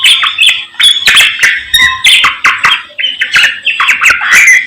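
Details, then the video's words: Morning song of a samyong bird: harsh squawks alternating with clear whistled and falling chirps, repeated in rhythmic bursts about every half second. "SAMNYONG GACOR Menggemaskan DI PAGI HARI"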